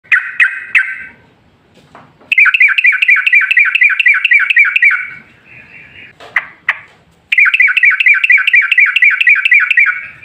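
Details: Yellow-vented bulbul in lively long-trill song, used as a lure to make other bulbuls sing. A few short bubbly notes come first, then two long bursts of rapid, evenly repeated chattering notes, each separated by brief pauses and softer notes.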